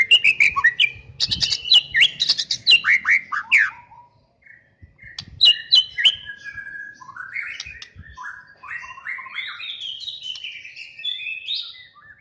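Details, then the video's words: Champion white-rumped shama singing: rich varied phrases of clear whistles and rapid chattering notes, with sharp clicks and short pauses, the song sweeping between high and middle pitches in quick bursts. "nih burung murai jagoan"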